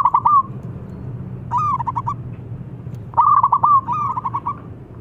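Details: Zebra dove, local bird, calling, a rival answering: a short loud coo, then a softer pulsed phrase, then a long loud run of rapid bubbly notes trailing into softer coos, over low background hum.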